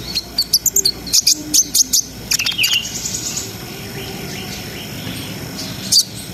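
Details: Brown-throated sunbird singing in a lively, continuous style meant to raise breeding arousal: rapid high staccato chips, then a thin sliding whistle and buzzy trill that fade, with one last sharp note near the end.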